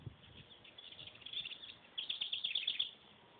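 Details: A pet tufted titmouse being hand fed gives two quick bursts of thin, high chirps, rapid and uneven, about three per second, over faint room noise.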